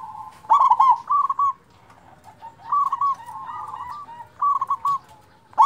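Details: Local zebra dove song for stimulating reluctant zebra doves: a strong, rapid burst of staccato coos opens the sequence, then several softer, rolling phrases follow at uneven intervals, ending with another sharp note.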